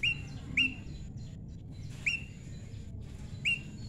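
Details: Prinia kept tame and paired naturally: four loud, clipped chirps, each sweeping up then holding briefly. Two come close together, then two more spaced widely, over steady low noise.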